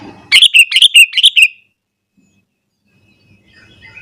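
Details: Sooty-headed bulbul in full morning song, aimed at stirring up other bulbuls: one quick burst of four bubbly, slurred chirping notes, then near silence with faint background sounds.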